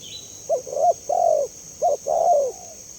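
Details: Spotted dove calling clearly, used to provoke responses from other doves: two close phrases, each of short hollow notes leading into a longer wavering coo that drops at the end, over a steady high hiss.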